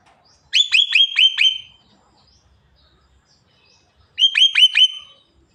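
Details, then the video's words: Javan myna talking until it coughs: two bright, fast series of five sharp repeated notes each, separated by about two and a half seconds of silence. "burung jalak kebo ngomong sampai batuk"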